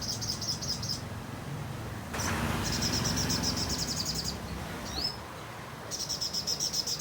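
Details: Sogon song used as tutor material for magpie robins: long buzzing high trills in bursts of about a second, broken by a rising whistled slur, over a rumbling background noise.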